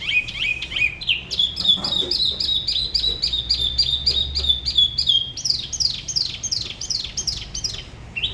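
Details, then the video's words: Spot-throated babbler from Da Lat's La Ba river singing solo in a way that differs from other regions: a fast, even series of high bright notes, about three per second, ending in a run of steep falling slurs. "Tiểu mi La Bá hót solo/ Spot-throated Babbler the best solo La Ba river"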